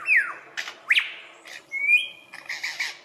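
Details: Male Australian lyrebird, a mimic of other birds that calls as part of courtship, running a varied medley: falling whistle, harsh bursts, quick upswept note, long level whistle, then scratchy chattering, all within three seconds.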